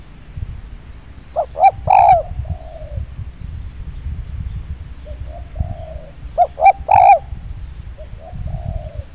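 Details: Wild spotted dove cooing in an oil palm plantation, drawn to a perching tree by a lure bird: quick pair of short notes, a strong burred coo and a long soft falling tail, repeated twice over a low rumbling background.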